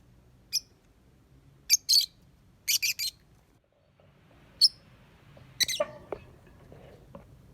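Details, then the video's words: Lovebird said to be a pretty, skilled singer, uttering a series of sharp, high, shrill chirps, some doubled, in irregular bursts, ending with a rougher descending squawk amid soft background noise. "Love Bird Cantik Pinter Nyanyi"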